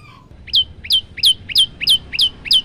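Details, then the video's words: Seven loud, sharp downslurred chips, spaced about three per second, from a male olive-backed tailorbird in full song, recorded on a phone as a master recording for young or silent birds. "prenjak lumut gacor variasi tembakan panjang"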